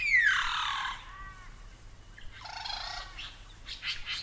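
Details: Superb Lyrebird from a collection of Australian bird recordings: a loud descending whistled sweep with harmonics, then softer falling notes, a rich buzzy phrase and a few sharp chips; quiet background.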